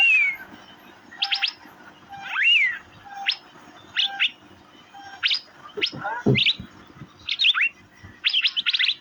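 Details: Asian fairy-bluebird (cucak biru): a drooping whistle, a rising slurred whistle, then scattered groups of sharp high chirps, with a few low knocking sounds midway.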